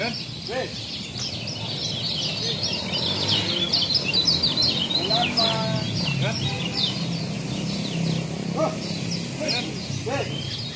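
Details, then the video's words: Lombok kecial song used as a tutor recording for training cage birds: continuous rapid high twittering chatter, with scattered lower arched calls and a steady background hum. "masteran kecial lombok"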